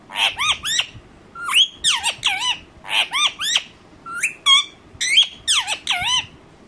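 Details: Angry pet Indian ringneck parakeet calls in steady groups of two or three harsh, high, down-slurred screeches, with some rising notes between groups.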